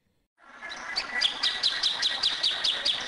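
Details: Rapid, somewhat irregular string of bright chipping notes from a plain thornbird, with a grainy noisy background throughout.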